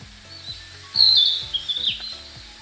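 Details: Slowed-down song of a Narcissus Flycatcher near Abashiri, Hokkaido, in early May: after a quiet start, a bright high warble with rapid flutters and a falling end, over soft rhythmic background music.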